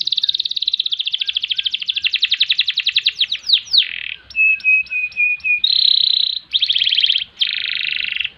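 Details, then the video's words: Canary delivering a rolling ngerol trill in a long, fast, rattling series, followed by short pure whistled notes and separate buzzy trill bursts in varied pitch blocks. "Kenari Gacor Panjang Ngerek Ngerol Nembak"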